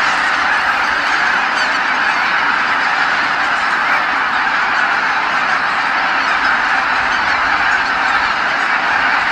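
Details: Evening at Kabukuri-numa marsh: tens of thousands of geese arrive back from feeding, and the marsh is wrapped in their calls, a continuous layered honking chorus that holds at even loudness for the whole stretch.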